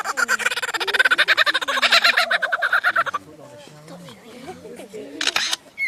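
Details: Australian lyrebird, known for copying every sort of sound nearby, pouring out a rapid stream of loud, evenly pulsed chattering notes for three seconds, then a man speaking quietly and a brief sharp burst near the end.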